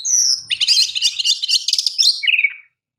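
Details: Oriental magpie-robin, champion bird for song tutoring, pouring out a dense, fast chattering trill of mixed notes after a high whistle, closing on a short descending phrase.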